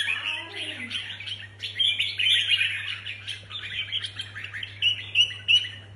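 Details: Contest-ready red-whiskered bulbuls deliver busy, chattering song with quick warbled notes, ending in three short, loud, clipped whistles about a third of a second apart; low hum in background.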